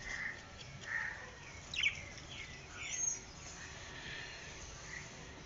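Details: Small white albino budgerigars, a pet family of Australian parrots, giving soft scattered chirps and short warbles, with a few sharp higher notes over steady background noise.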